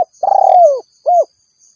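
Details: Tail of a spotted dove rival call: a long pulsing coo slowly falling in pitch, then one short rounded closing coo.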